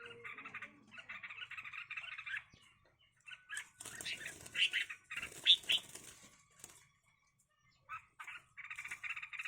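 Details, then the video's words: Red-whiskered bulbuls brought together to fight: rapid buzzy chattering runs are broken in the middle by loud wing flapping and scuffling. "cho chào mào đá nhau"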